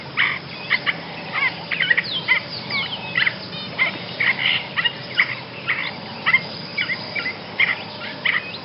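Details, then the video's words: Song of a Basra reed warbler, shared for tutoring caged songbirds: a long run of harsh, chattering notes at a fairly even pace, several per second, with gravelly, rasping texture over low hiss. "kicauan burung Basra Reed Warbler"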